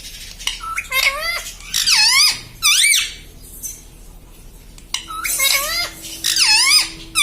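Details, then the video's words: Household parrot talking, saying papa and mummy: a rapid run of shrill, bending, voice-like syllables, a pause, then another burst of squeaky rising and falling notes. "पापा बोलता तोता || papa papa bolne vala parrot || parrot talking mummy papa"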